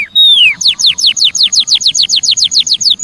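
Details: Javan munia calls used as a lure for wild birds: a long falling whistle, then a rapid series of sharp, high, downward-slurred chirps repeated about five times per second. No other sounds are clear.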